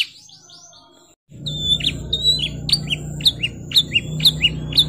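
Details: Canary singing in the 'gacor ngerol nembak' style: after a quiet start, a run of sharp, high, downward-swept whistled notes repeats about twice a second over a steady low hum.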